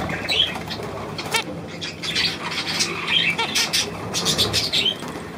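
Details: Budgerigars, recorded 9 February 2024, softer twittering chorus with short upward-sweeping chirps repeating every second or so, over a steady hiss of background chatter.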